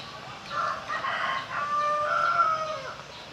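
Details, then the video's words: Crowing Pelung cock, heard somewhat distant: a rough stuttering start followed by a drawn, wavering tonal note that rises slightly and then sinks away over about two and a half seconds. "10 Suara Merdu Ayam Pelung Berkokok"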